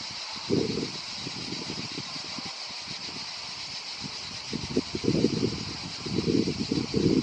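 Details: European turtle dove in Croatia giving low, rolling purrs in bursts: one near the start, then a longer run of repeated purrs in the final seconds, over a steady hiss of background noise.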